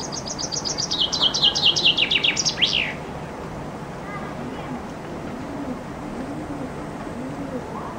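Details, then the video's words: In summer a common chaffinch sings loudly beneath a window, recorded on a compact camera from a loggia: a three-second phrase of quick descending notes speeding into a trill and ending in a sharp flourish, then quiet with faint low cooing. "Зяблик поёт под моим окном"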